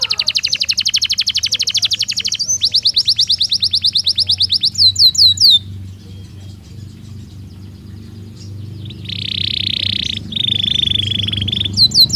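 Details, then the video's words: Belgian canary singing naturally: a long, rapid high roll and fast trill over a low background hum, then a lull, then bursts of harsh buzzy trilling. "Som de 1 Hora com Canario Belga Cantando Naturalmente"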